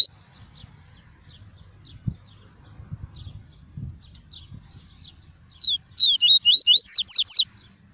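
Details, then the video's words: Double-collared seedeater in the clean 'tuí tuí' song style, played to warm up a kept bird and teach chicks: quiet scattered faint chips, then one burst of about eight quick, high, slurred whistles near the end. "PAPA CAPIM CANTANDO MUITO! TUÍ TUÍ PURO - ESQUENTE SEU PAPA CAPIM EM 5 MINUTOS!"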